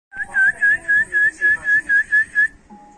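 An African grey parrot whistles about ten clear, even notes, roughly four a second, all at one steady pitch, over a faint background hum.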